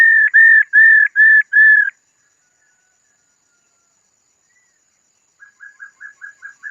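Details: Female laughingthrush giving its 'ro' call, used to stir up males: five clear, steady mid-pitched whistled notes in quick succession, then a long pause before a softer run of short rising chirps.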